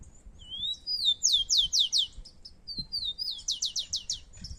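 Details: Competing rufous-collared sparrows singing in natural surroundings in Brazil: two high phrases of rising whistles and then five or six rapid downslurred notes, very clear over faint low background noise.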